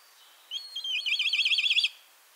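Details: A Black Kite in Central Russia gives a high, thin whistle that breaks into a quick, quavering whinny of about a dozen rapid notes, lasting just over a second.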